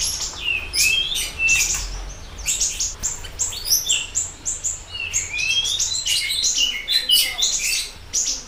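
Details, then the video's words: Siri-siri bird in full, lively song, recorded as a tutor and prompting track for other birds: dense, fast runs of high chirps, trills and upslurred whistles, varied and nearly continuous throughout. "Pancingan Dan Masteran Burung Siri Siri Gacor Dor"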